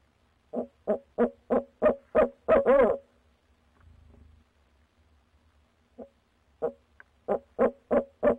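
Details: Nighttime barred owl call, 6 February 2019, near a nest box where squirrels stayed all night: a run of quickening hoots ending in a wavering drawn note, a soft low rumble during the pause, then a fresh hoot series.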